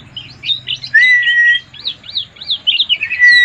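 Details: White-eye, a caged songbird, in a quick chattering song of looping chirps and a long level whistle, with a low hum in the background.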